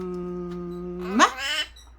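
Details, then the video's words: Indoor pet parrot mimicking speech, saying "mom" in Korean: a flat, hummed tone lasting about a second that rises steeply into a strained syllable, followed by a second harmonic, voice-like sound and then a fresh onset. ""엄마" 말잘하는앵무"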